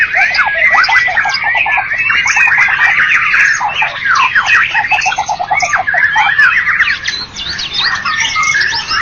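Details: A contest-winning white-rumped shama (Copsychus malabaricus) pours out a loud, unbroken stream of rich whistles, rapid chatters and slurred rising and falling notes, with no pauses throughout.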